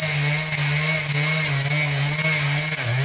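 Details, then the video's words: A Russet bush warbler sings in India: short, high, ticking-buzzy notes repeated about every half second, almost in sync with a loud, steady droning chainsaw underneath. "Russet Bush Warbler singing"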